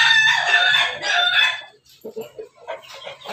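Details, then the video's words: Pelung chicken, a Bangkok crossbreed, in a backyard: loud harsh drawn-out crow lasting over a second and a half, then quieter broken clucking notes. "ayam pelung Bangkok ketawa"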